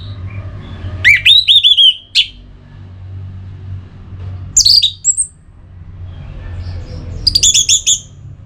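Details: Orange-headed thrush singing, a recording meant to stir caged birds into song: three separate bursts of bright, rapidly modulated whistles and trills, with high sharp notes and pauses of a few seconds, over a low steady hum.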